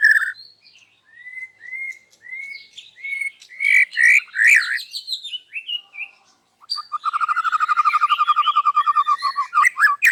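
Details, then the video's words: White-rumped shama singing loudly in the morning, unloading its isian fill-ins: a run of short slurred whistles, a burst of loud chattering notes, then a fast, regular, buzzing trill. "PAGI HARI MURAI BATU INI SUDAH BUKA SUARA KERAS DAN BONGKAR ISIAN"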